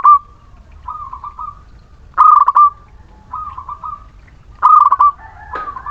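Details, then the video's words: Local Muria zebra dove singing continuously as a lure for unwilling birds. Loud stuttered coo phrases alternate with quieter echoing ones about once a second. A harsh noisy burst is heard at the close. "Perkutut lokal Muria gacor pancingan setiap waktu perkutut malas bunyi"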